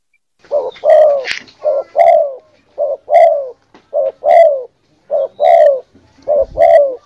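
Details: Spotted dove giving steady deep cooing, paired short and longer mellow notes repeated at a regular pace, about fifty per minute, with a brief higher chirp near the start.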